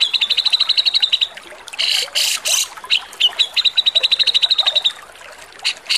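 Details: Javan grey-cheeked bulbul's harsh song, used as a master recording for training songbirds: fast, high, even trills of about ten notes a second, broken by loud, harsh, rasping bursts.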